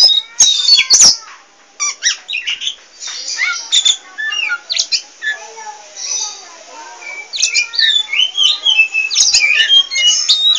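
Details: Oriental magpie-robin of the poci variety singing chattily and nonstop: a rapid varied stream of high whistles, squeaky chirps and clicks, about three notes a second, with brief pauses.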